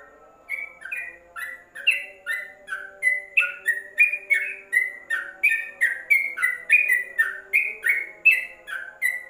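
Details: Yellow-vented bulbul singing in a covered cage as a training master: after a soft opening note, a rapid, lively string of liquid, slurred chirps rolls on at about three per second; faint low humming behind.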